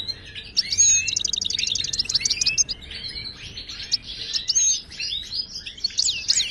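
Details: Moroccan European goldfinch, wild-type bird, song used to teach caged goldfinches to sing: rapid high twittering with fast buzzy trills and sliding whistled notes, dense and continuous throughout.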